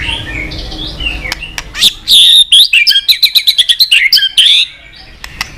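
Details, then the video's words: White-rumped shama fighting-style song for voice training: soft varied warbling builds into a loud, rich phrase of mixed whistles and a rapid rattling run of sharp notes, then fades. "chòe lửa hót cực căng kích chim yếu lửa hót ,kích chim hót đấu, luyện giọng chòe lửa hót"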